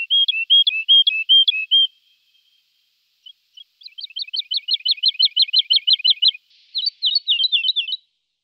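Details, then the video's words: Lark song: a run of clear whistled two-note phrases, a short pause, then a long fast series of chirped notes, ending in a brief varied trill; no other sounds. "Жаворонок lark"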